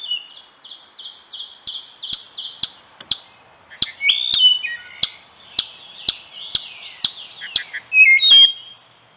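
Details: Gray catbird at a stone wall in woods of Strafford County, New Hampshire, recorded by trail camera during courtship and singing; a rapid, varied run of short high chirps and slurred notes, interspersed with sharp clicks, ending in a louder burst.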